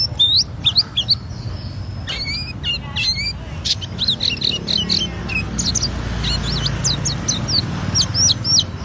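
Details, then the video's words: High ngriwik song of an auri-type Oriental white-eye delivering its fill-ins: scattered sharp chirps and clicks at first, then a fast twittering stretch and closing runs of short downslurred notes over faint low noise. "Pleci Auri Gacor Ngriwik Bongkar isian"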